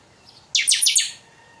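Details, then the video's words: Chanchão, the chopi blackbird, giving a single totonsidonso-style phrase: a sudden loud burst of four quick, harsh, high notes that fade out after about half a second, over near silence. "Chanchão canto totonsidonso"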